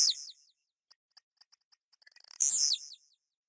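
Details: Blue-black grassquit (Volatinia jacarina) song: a high, thin descending buzz, then a run of quick ticks that speed up into a loud, explosive buzzy phrase that falls away.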